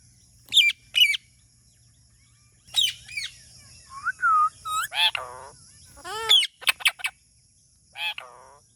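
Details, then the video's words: Talking parrot calling with loud, harmonic squawks and whistled notes in short bursts, some rising and falling in arcs, with several separate calls spaced across the recording and quiet gaps between them. "Talking Parrot Natural Sound"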